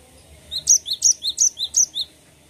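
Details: A cinereous tit rolls off a short burst of about five quick, high paired notes, evenly spaced and ringing.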